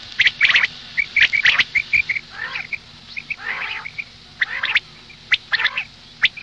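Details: Female quail calls for morning use: sharp, repeated chirping notes with rougher, raspy phrases between them, steady clusters with short gaps and no other clear sounds.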